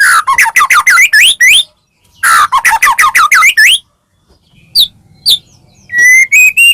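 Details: White-rumped shama singing energetically, used to provoke other shamas into singing: fast bursts of rising whistled and chattering notes, several phrases per second, separated by short pauses, then sharp high notes and a long rising whistle.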